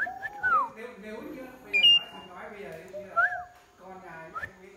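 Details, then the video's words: Singing Asian pied starling giving bright falling and rising whistles, one high sustained note, and soft lower chattering sounds between phrases. "Chim cưởng hót cực hay"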